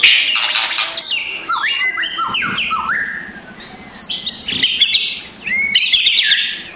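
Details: White-rumped shama delivering rough kretekan phrases in a noisy, lively morning song meant to provoke a lazy bird; clustered downward-slurred whistles, harsh buzzy bursts, and a faint low hum behind.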